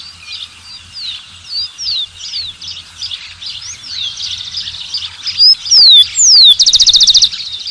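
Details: Song of a rufous-collared sparrow breaks over a busy chorus of high chirping birds: clear slurred whistles falling in pitch, then a dry, even trill of about ten rapid notes to close the phrase.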